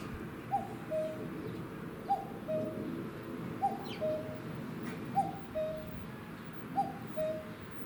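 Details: A wild common cuckoo calls from a pole near a garden on a late-May afternoon in 2021. Five steady descending cuck-oo pairs come roughly every one and a half seconds, with faint ambient noise.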